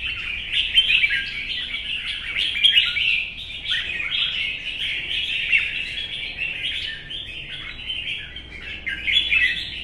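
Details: Red-whiskered bulbul, an older wild-caught caged bird, singing competitively in morning sun: dense, continuous run of bright chirping and warbled notes, rising and falling, with louder bursts near one and three seconds.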